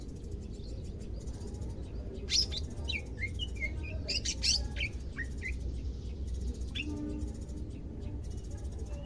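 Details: Pet greater green leafbird on day two of care, becoming more vocal, bursts into a cluster of sharp high chirps and curving whistled notes, then falls quieter with a few isolated calls over low hum.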